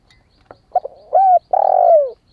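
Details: Young spotted dove in wild plumage, newly calling and kept to lure wild doves, gives one phrase: faint stuttering notes, a steady clear coo, then a long loud coo that slides downward at its end.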